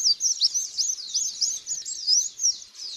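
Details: White-eye lure song with very quick, thin twittering and sweeping chirps, about three notes a second rising above a constant high chatter.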